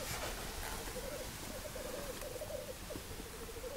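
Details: Black grouse heard from a hide on a weekend watch, giving a faint, steady bubbling coo in short rolling phrases against a loud hiss of background noise.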